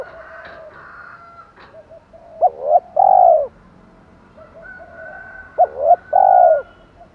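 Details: A spotted dove's 'thổ pha thúc' lure call for wild birds: two phrases of a quick hooked note, a rising coo and a long husky coo, over faint background humming and scattered soft clicks.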